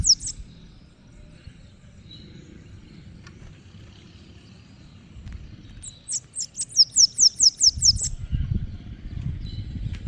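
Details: Bananaquit singing on the street: after quiet street noise, a short burst of very high, thin, buzzy notes repeated rapidly about eight times, followed by low traffic rumble.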